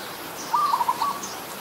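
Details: Adult zebra dove recorded on 28 December 2020 at Ubon Ratchathani, Thailand: a single brief phrase of rapid, bubbling staccato coos, half a second long, with faint distant chirps.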